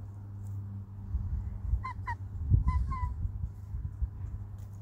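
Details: Chickens, hens and a rooster, in their coop: four short, harsh honking notes in two quick pairs, over a steady low hum and scratching.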